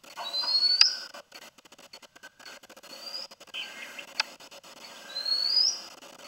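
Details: Oriental magpie-robin, perched, singing clear, rising whistles with a few sharp high notes, phrases separated by short pauses.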